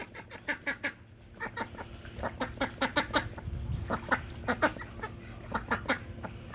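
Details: Farm duck playing with water, giving loud quacks in rapid runs of three to five, broadband nasal bursts with short gaps, louder toward the middle, steady low background hum.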